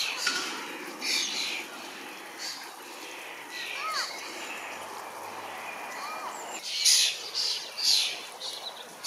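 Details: Common starling fledglings begging as a parent feeds them in a large berry bush; scattered harsh, hissing bursts come in spaced clusters, with a few thin whistled slurs in between and faint background noise.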